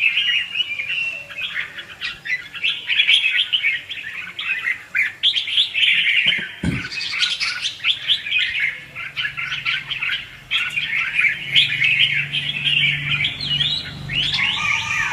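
A red-whiskered bulbul sings almost without pause, a lively run of bright, chattering, warbled phrases in the mid-to-high range, with a few softer chirps underneath.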